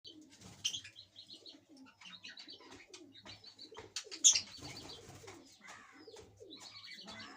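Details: Budgerigars chatter with busy, scratchy warbles and sharp chirps, with some soft cooing behind them, while eating green food.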